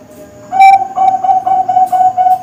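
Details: Bangkok zebra dove (perkutut) young bird used as a singing model and lure: a steady sequence of short, mellow, low-pitched coos, about seven in quick regular rhythm, over faint background noise.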